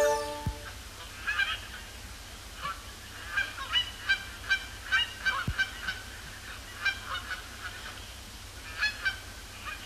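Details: Canada Geese coming down onto Sapsucker Woods Pond at the Cornell Lab of Ornithology after sunset, cloudy evening; a brief steady tone at the start, then clustered honks in short bursts with quieter gaps.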